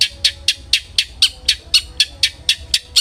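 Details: Long-tailed shrike (cendet) lure recording for provoking aggression: a steady harsh chatter of rasping notes, about four per second, evenly spaced and very regular for three seconds.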